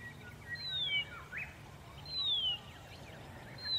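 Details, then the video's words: Horsfield's bronze cuckoo singing in early-morning sun near Dayboro, SE Queensland, Australia, November 2021: thin, high, downslurred whistles repeated about every one and a half seconds, over a steady low background hum with faint other chirps. "Singing Horsfield's Bronze-Cuckoo"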